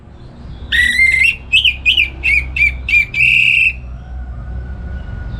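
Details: Orange-headed thrush kept at home, singing in the morning in the loud ngeplong style and used to train other songbirds. A long whistle opens a run of short, rough, bouncing whistled notes, closing with a sustained buzzy note over low background rumble.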